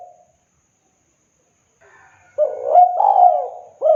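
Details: Spotted dove (tekukur) song recorded to coax silent or sluggish doves into singing: after about two seconds of near silence, a burst of low, mellow cooing notes rises and falls, ending with a fresh hooked coo.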